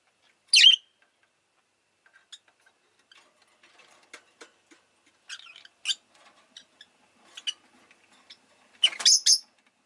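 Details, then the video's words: Rosy-faced lovebird (Agapornis roseicollis) kept as a pet: one loud chirp, several seconds of soft scattered ticking and faint notes, then a rapid cluster of loud high chirps at the end. "Lovebird Chirping Sounds"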